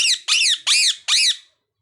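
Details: Parrot repeating four loud, scratchy squawks in a steady run, each falling in pitch, about three per second, then quiet.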